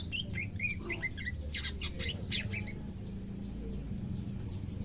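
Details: Caged greater green leafbird on its second day of care, starting to become active: quick series of short chirped and slurred notes in the first half, then fainter high ticks over a steady low hum.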